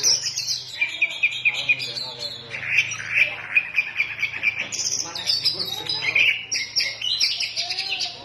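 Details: Kacer, the Oriental magpie-robin, singing 'ngefly gacor': repeated ringing whistled notes in quick series, mixed with scratchy chatter and high squeaks, over a steady low hum.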